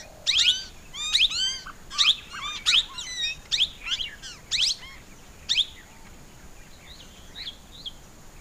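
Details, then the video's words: Plum-headed parakeet giving sharp, shrill, harmonic notes in short bursts roughly once a second for about six seconds, then only faint, thin notes trailing off in a quiet setting. "Plum-Headed Parakeet Call പൂന്തത്ത"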